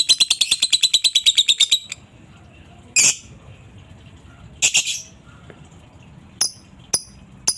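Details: Lovebird chattering ngekek-style to draw replies from other lovebirds: a quick burst of harsh repeated notes for under two seconds, then scattered loud rasping squawks and brief sharp calls with quiet gaps between.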